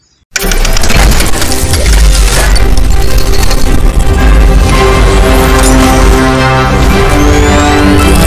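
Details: Loud music with heavy bass and crashing beats starts after a brief silence, and no animal call can be picked out.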